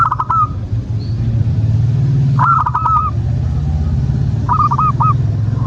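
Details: Perkutut lokal, the zebra dove, cooing as a lure to make caged doves sing: three phrases of quick stuttered coos with a longer closing note, set against a strong low rumble.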